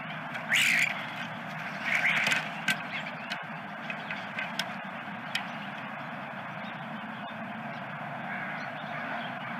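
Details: Osprey on its nest at Dunrovin Ranch, September 13, 2022. Two loud harsh calls near the start, then faint clicks over a steady broadband hiss of background noise.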